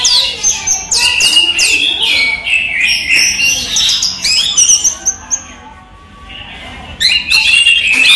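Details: Daytime song of a caged orange-headed thrush: a fast stream of sweet whistles, chirps and trills, falling quiet for about a second and a half before another bright burst.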